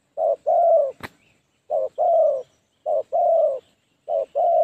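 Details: Caged decoy spotted dove luring wild doves, 'phá lúa' style; four paired coos, each a brief note followed by a drawn-out husky one, with a sharp click early on.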